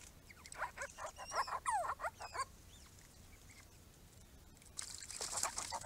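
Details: Small group of Grey-crowned Babblers at a pond made for them, fast overlapping sweeping whistles and chatters for two seconds, then near quiet, ending in a soft hiss.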